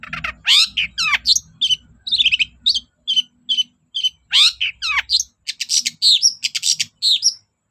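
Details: Long-tailed shrike song meant to provoke reluctant shrikes: sweeping harmonic slurs and clipped chattering notes in quick succession, with a low background hum in the first five seconds.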